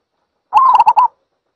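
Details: A single zebra dove phrase: a mid-pitched coo that lifts slightly, then a stuttering run of four short, clipped notes, with nothing else audible.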